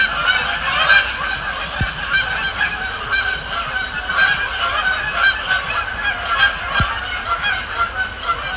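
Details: A flock of Canada geese at Sapsucker Woods Pond on the Thursday night of 26 October 2017, flying over and landing, honks continuously with many overlapping nasal two-note mid-pitched honks; a couple of faint low thumps.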